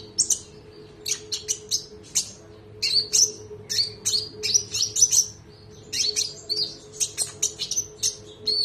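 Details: Konin (olive-backed sunbird) on a tutor recording for other birds, singing in the sharp-shot, long-rolling style. It gives an almost continuous stream of high, piercing chirps and trills in rhythmic bursts over a low hum.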